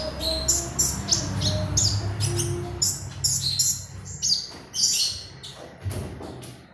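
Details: Magpie robin song serving as a training lure: rapid, irregular series of high scratchy chirps, nearly two a second, with a few short whistled notes and low steady background hum.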